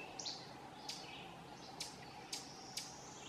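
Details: Ovenbird (Seiurus aurocapilla) scolding, Silvio O. Conte refuge, Vermont, June 2016; five short, hard chips spread irregularly over three seconds, with a faint thin whistle between them and low steady hum.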